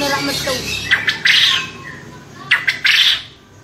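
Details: Champion male quail kept for contests, calling in ceketer style: two clusters of sharp, grating bursts, each a rapid double or triple rasp followed by a longer harsh note, over faint background chatter.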